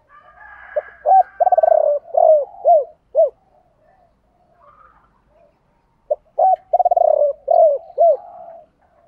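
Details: Spotted dove calling in two bouts, used by bird keepers to make birds coo: each bout has hollow low notes, a fast stuttering pulse run and a string of short arched coos, with soft murmurs in between.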